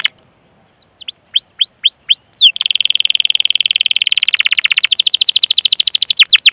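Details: Canary song used to coax other canaries into singing: a short opening of separate curved whistled notes, then a long, dense, rapid trill of high repeated notes.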